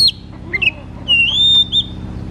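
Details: Oriental magpie-robin singing ngeplong style to stimulate a bird that rarely sings: a few sharp notes, then a long clear whistle sliding upward and a short whistled ending, over a steady hum.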